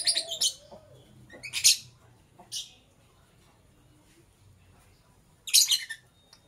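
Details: Lovebird chirping in the morning: sharp, harsh, high chirps in short bursts near the start, at about 1.7 and 2.5 seconds, then a loud pair near the end, with quiet gaps between.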